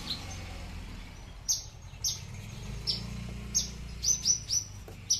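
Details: A kept Horsfield's bush lark, a Papuan "aliena" type, gives its typical very loud, thin, high chirps with no bass notes, about two each second in a quickening string, over a steady low hum.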